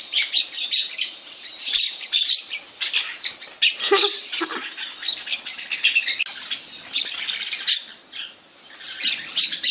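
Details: Noisy parakeet flock chatter: dense, harsh squawks tumbling over each other almost continuously, with a few lower, rougher notes around four seconds.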